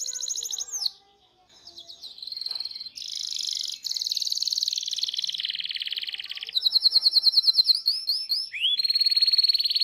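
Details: Canary song used as a master recording to train young canaries to sing: long continuous high trills and rolls, fast repeated chirps, rapid rattling bursts and sweeping notes, varied phrases flowing one into the next.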